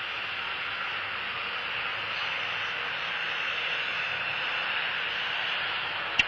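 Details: Even hiss with a faint drone and a single sharp click at the very end, with no animal sounds.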